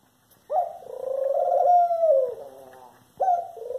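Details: A Eurasian collared dove utters a sustained, slightly rising nasal note lasting around two seconds, which then fades downward. A second call begins just after a short pause.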